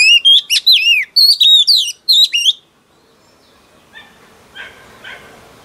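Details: Oriental magpie-robin female, newly caught, sings to rouse males, loud swooping whistled phrases for about two and a half seconds, followed by quiet with a few faint chirps.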